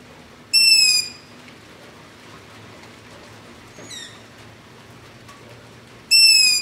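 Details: Long-eared owl begging at night near a house, recorded with a ZOOM H5 and LOM Usi Pro: two loud, squeaky, drawn-out screeches about five seconds apart, with a fainter, shorter call between them.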